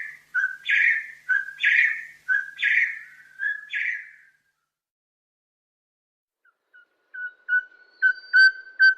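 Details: Loud, ringing ring-ying calls of the Crimson-headed Partridge, a bloodhead of Bornean montane forest. A whistled note is followed by a harsher ringing burst several times, then a silent gap and softer, quick repeated whistles.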